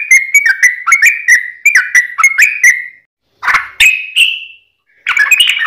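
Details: Sooty-headed bulbul (trucukan) delivering its 'ropel' song to prompt a kept bird to answer: quick sequence of short chirping notes, then a pause and a few louder slurred calls with a brief fluttering burst at the end.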